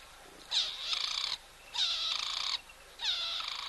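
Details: Verreaux's eagle (black eagle) at a new nest on March 6: three loud, harsh, drawn-out calls with stacked harmonic bands, each about 0.8 seconds long, repeated roughly every 1.2 seconds.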